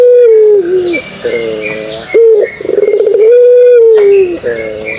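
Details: A pelung dove's kugeruk cooing: a long low note falling gently, followed by a throbbing pulsed coo and another extended smooth coo. High-pitched bird chirps recur in the background.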